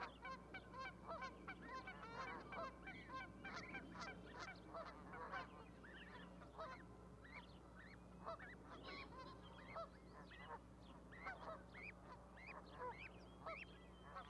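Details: Geese nesting with goslings on an osprey platform in Charlo, Montana, May 12, 2020; a long run of rapid, overlapping honks and higher cackling notes, busiest at first, then sparser, over a low hum.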